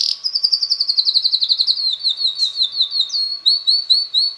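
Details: Red male canary of about six months, a keen all-day singer, delivers a long tour of fast repeated high chirps slowly dropping in pitch, then evenly spaced warbled notes.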